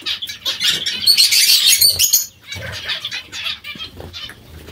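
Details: Zebra finch group eating vegetables: a loud burst of bright, nasal chattering calls in the first two seconds, then softer scattered notes with light rustling and thuds.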